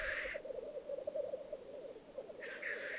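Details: Black grouse displaying at a lek in the Piedmont Alps, Italy, in 2022: a steady, low, bubbling cooing runs throughout, opened by a short hissing sneeze and closed by a second rushing hiss.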